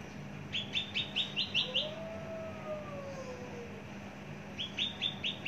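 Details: Long-kept, mature Javan bush lark with a large body gives two bursts of quick, even chirped notes separated by a pause, while a soft drawn-out sliding tone sounds in the background.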